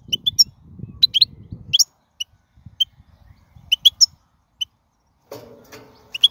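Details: Wild European goldfinch song used to teach fledglings: scattered bright, twittering high notes in brief groups separated by pauses, with low rumbling noise at the start and a mid-pitched noisy burst near the end.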